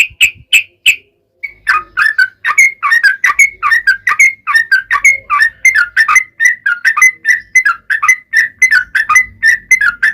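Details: Long continuous song of a sooty-headed bulbul, used as a lure so other bulbuls reply, with steady fluty whistled notes repeated rapidly for about ten seconds.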